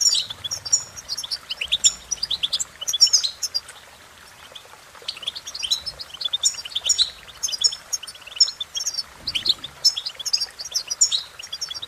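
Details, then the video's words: European goldfinch singing a rapid, tinkling twitter of high, sharp notes in bursts, with a short pause near the middle before the chatter resumes. "innovative Ways To impress The Goldfinch With Bird Melodies"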